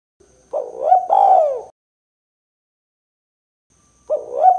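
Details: Spotted dove in 'kuk 2' style, a call used to lure and prompt other birds. One soft two-part coo, rising then falling, is followed by about two seconds of silence before the next coo begins.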